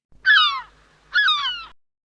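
A gull gives two harsh, falling cries about a second apart, each a drawn-out nasal wail sliding downward. Nothing else is heard.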